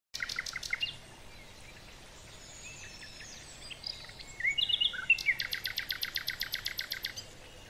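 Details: American avocet at a river giving sharp, high kleek notes in quick bursts of about four per second, with a few softer chirps and a steady outdoor hiss between.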